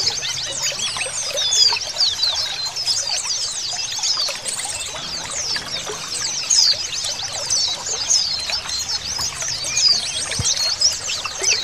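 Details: A dense crowd of Oriental white-eyes in full song, with female calls added to raise the males' mating drive: a nonstop shimmer of very high, rapid twittering and chirps, many birds overlapping throughout.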